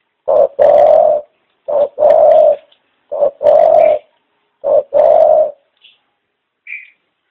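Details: A pet dove gives four low, hollow two-part coos, a short note then a longer one, about every one and a half seconds; faint high chirps follow at the end.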